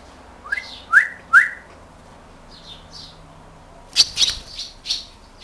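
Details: Swallows searching for a nesting spot at a house: two upslurred whistled notes, then a burst of high, scratchy twittering chirps, over faint background hum.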